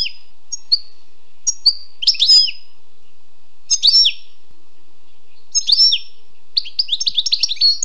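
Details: Wild European goldfinch giving short separated phrases of sharp tinkling notes and brief buzzy twitters every second or two, building into a continuous fast twittering run at the end.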